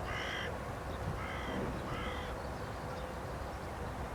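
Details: Carrion crow perched on a post at Aranoltza, Zamudio, Txorierri, Bizkaia, June 2020, giving three harsh, hoarse caws in quick succession over about two seconds, then quiet, with steady low rumbling background noise.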